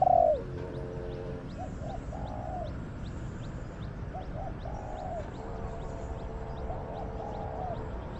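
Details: A spotted dove, heard during a decoy-luring session for doves in gardens, gives soft, low cooing phrases, each a short run of muffled coos, repeated every second or two over a steady low rumble.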